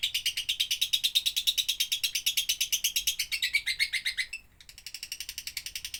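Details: Lovebird song in the doubbelan style, suited to tutoring other birds: a dense, scratchy chatter of rapid pulses that slides lower before a brief break, then resumes more quietly.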